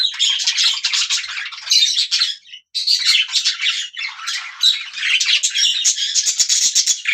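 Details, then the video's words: Continuous budgerigar chattering, a rapid jumble of harsh squawks, buzzy notes and thin chirps with only a momentary gap partway through. "Budgiea chirping"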